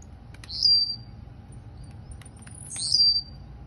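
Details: Blue-black grassquit, a kept bird from Campo Grande, Rio de Janeiro, Brazil, singing the song style called "Campainha": two short, high, buzzy phrases about two seconds apart, each a quick upward flick then a falling buzzy slur, over a faint low hum.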